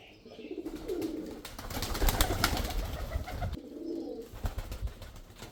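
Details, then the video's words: Male pigeon giving two short low, rolling coos about three seconds apart, separated by a burst of loud rustling, broadband noise. "pigeon sound | kabutar ki awaz | Male Pigeon sound"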